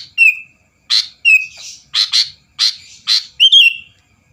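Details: A vigorously singing sooty-headed bulbul, meant to provoke rivals: clear downslurred whistles alternate with harsh, burry chirps, some doubled, over about four seconds.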